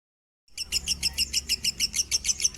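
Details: Lovebird of the minor variety, standard-pitch song used to tutor other birds: after half a second of silence, a brisk series of about a dozen sharp, high chirps at an even pace.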